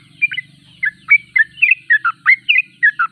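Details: Sooty-headed bulbul (trucuk), said to sing constantly (gacor), giving well-spaced clear whistled notes, some rising, some falling, in a quick irregular series over a faint low hum.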